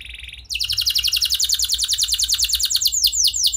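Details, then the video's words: Lively canary song used as a lure to set other canaries singing: after a faint opening note, a fast, even trill of high, downward-sweeping notes runs on steadily to the end. "Pancingan Ampuh Banyak Burung Kenari Cepat Bunyi Gacor Dengan Suara Kenari Gacor Lagu Unik Ini!"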